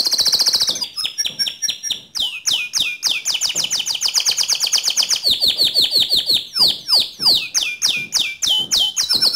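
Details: A pure white canary sings vigorously in a string of changing phrases: high ringing trills, rapid staccato chips and short downward sweeps, delivered in quick succession.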